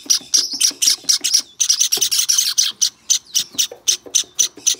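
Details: Hand-tame white Java sparrow chick calling in rapid, high, sharp chirps, about four a second, each a short bright burst with a slightly uneven rhythm; one lower brief sound near the middle.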